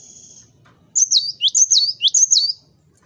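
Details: Loud song of a cinereous tit, meant to provoke rivals into singing: after a brief thin tone, three or four quick high whistled phrases follow, each falling from a sharp note to a lower one.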